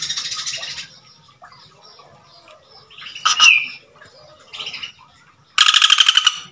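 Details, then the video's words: Male Common Flameback, highly vocal, calling to a female: a harsh, fast rattle of buzzy pulses opens, a short squeaky note sounds midway, and a louder rattling burst closes. "Burung Pelatuk Bawang Jantan Gacor Memanggil Betina"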